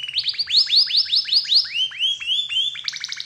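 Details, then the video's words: Canary song played as a lure to set other canaries singing: a run of loud whistled notes, each swooping down then rising, about five per second, ending in higher clipped notes, with a faint low hum beneath. "PANCINGAN SUARA KENARI INI, DIJAMIN IKUT GACOR DAN BUNYI"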